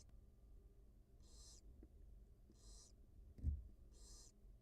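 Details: Barn owl family at a wild nest, mother feeding her two newly hatched young, live cam; three breathy snore-like hisses at regular intervals, one thud near the end, low background hum.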